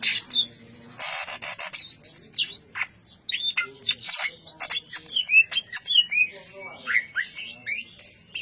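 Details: Greater green leafbird, called cucak ijo, in the dense ngentrok song style: a busy, varied stream of sharp whistles, rising and falling slurs and scratchy notes packed tightly together, with a burst of harsh noise near the start.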